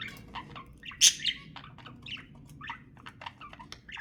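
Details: Budgerigar chatter for mating stimulation, short chirps and soft warbled notes with one loud sharp squawk early on, the calls spaced every few tenths of a second.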